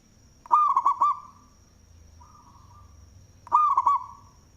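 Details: Loud-voiced local perkutut, or zebra dove, used as a lure, gives two rolling cooing phrases of rapid bubbling notes three seconds apart, with a soft drawn-out coo between them and a constant high whine behind.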